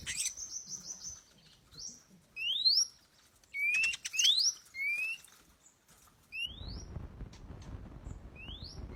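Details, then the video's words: Lure recording of an oriental magpie-robin: sparse, clean upward-slurred whistles and a few high flicks separated by silences, followed by a steady hiss of background noise in the last seconds. "kacer daput pikat"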